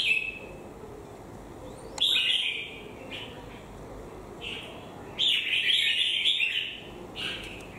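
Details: Red-whiskered bulbul singing short bright warbled phrases, one loud burst near the start and a longer run of chirping notes later, with quieter gaps between and faint background hiss.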